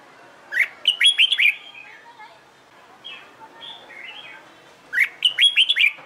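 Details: Training for fighting-style singing, a red-whiskered bulbul delivers a rapid cluster of five clear whistled notes, then quieter scattered chirps, then the same loud phrase again about four seconds later.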